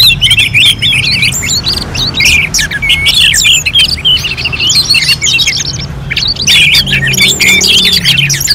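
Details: Orange-headed thrush in a simulated singing contest at Singaraja, North Bali: crowded, restless warbling of high chirps and twisting whistles, roughly three notes a second, continuing with hardly a pause.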